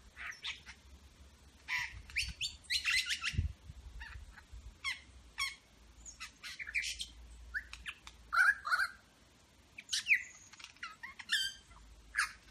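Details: In Berowra Valley National Park, a superb lyrebird runs through imitations of eastern whipbird, red wattlebird, rainbow lorikeet, grey butcherbird and pied currawong. Dense, scratchy chatters and sharp squawks alternate with brief whistled slurs.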